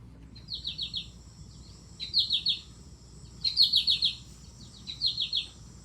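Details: American goldfinch (Spinus tristis) flight song, sung while flying overhead: four bursts of quick, high, descending chips in a "po-ta-to-chip" rhythm, roughly every one and a half seconds, over a faint low hum.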